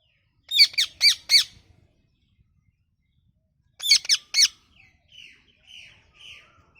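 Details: Parrot giving harsh, high squawking calls in two quick bursts of three notes each, about three seconds apart, followed by softer, quieter chirps near the end.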